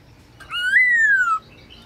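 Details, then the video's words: Single long clear whistle from a black-throated laughingthrush in midday training song, rising briefly, then gliding gently downward for nearly a second before stopping abruptly. "Khướu bạc má HÓT BUỔI TRƯA cực hay , Luyện khướu bạc má hót cả ngày, khướu bạc má hót giọng rừng"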